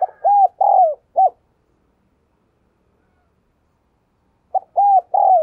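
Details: Decoy spotted dove in Vietnam giving urging coos to get other doves calling; a clipped phrase of hollow coos, a three-second silence, then the phrase starts again.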